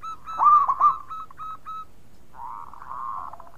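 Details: Local zebra dove with a loud voice, others responding: one strong rolling coo phrase with trailing mellow notes, then a faint, softer warbling coo further off.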